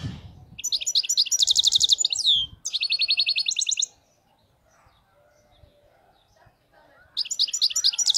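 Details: European goldfinch delivering faultless khalawi-style song in bursts: bright rapid trills ending in a descending slur, a second even trill, several seconds of near silence, then song resumes with quick twittering.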